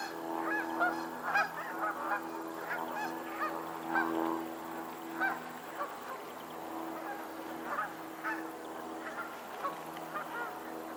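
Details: On a Pennsylvania lake, several geese honk irregularly, with about two harsh nasal honks every second, some overlapping, over a continuous low humming background.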